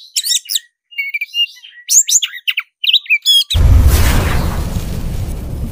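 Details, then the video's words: Oriental magpie-robin of the black-breasted form in fighting mood, pouring out quick scratchy chirps and twisting whistled notes in bursts for over three seconds before a loud roaring rush of noise drowns everything. "suara kacer dada hitam gacor tarung ngobra suara menggila"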